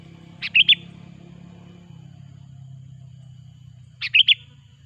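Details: Loud lure song of a sooty-headed bulbul, played to attract bulbuls for trapping: two brief, bubbly, rippling whistled phrases about three and a half seconds apart, with a continuous low droning hum beneath.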